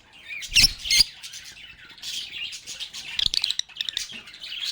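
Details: Lovebirds chatting with one another: two loud, harsh squawks open the stretch, then a dense run of rapid, reedy twitters and chirps trades back and forth, ending with a burst of fast clicking chips.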